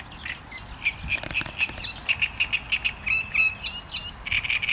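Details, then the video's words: Great reed warbler in full song: rasping, repeated notes in quick rhythmic strings, grouped into harsh chattering phrases that change pattern every second or so, with faint background rustle. "Trzciniak i jego śpiew"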